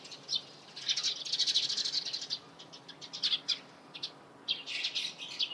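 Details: Eurasian tree sparrow chattering at dawn: bursts of fast, high chirps in clusters, with short lulls between the busy runs.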